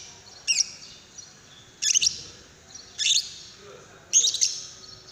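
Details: Lovebird calling to prompt another lovebird into song, giving four short, harsh, high-pitched chirp bursts roughly once a second, each a quick squeaky double note, with steady low background noise.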